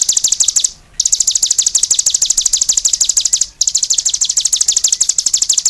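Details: Cigun singing vigorously: a long, very rapid high-pitched trill of sharp chirping notes, broken by one short pause near the start and a brief dip later, then continuing just as fast.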